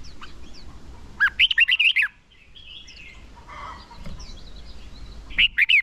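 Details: Decoy red-whiskered bulbul singing to call in and train birds for song contests; two quick bursts of six or seven rich, slurred whistled notes separated by a quiet gap with faint distant chirps.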